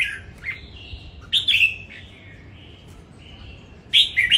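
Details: Competition-singing red-whiskered bulbul, caged, Đồng Nai: loud warbled phrases at the start and around 1.4 seconds, then drawn-out level whistles and a fresh bright burst near the end.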